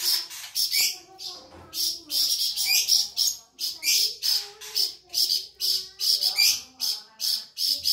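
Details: Sustained song of the Sumatran flamboyan bird, kept as a singing model for other cage birds: continuous rapid, high, rasping chirps in short bursts, over faint lower tonal sounds in the background.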